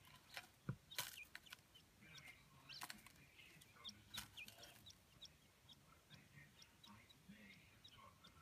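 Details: Two adult pet Chinese blue-breasted quail, a black-and-white Darth Vader and a silver Golden Pearl variety, in an indoor sandbox; soft, happy calls as short high chirps and upslurred peeps, scattered irregularly, over faint room noise and clicks.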